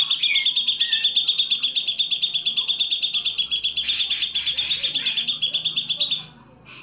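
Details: Grey-cheeked bulbul song for training songbirds: a long, even, rapidly pulsed high trill of roughly three notes per second, broken by a cluster of louder harsh notes near the end.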